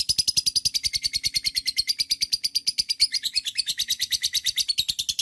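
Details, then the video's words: Continuous lovebird chatter, a long trill used to prompt other lovebirds to sing, made of fast, harsh, high pulses repeated many times a second without a break. "TERAPI LOVEBIRD NGEKEK PANJANG"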